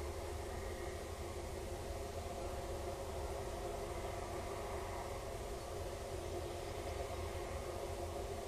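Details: Steady broadband hum and hiss like machinery fill the whole stretch, with no animal call.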